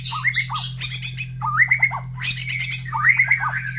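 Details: Caged white-rumped shama in the morning after feeding, near breeding cages where other birds call back: rising whistled phrases repeat about every second and a half, broken by harsh squawky bursts, over a steady electrical hum.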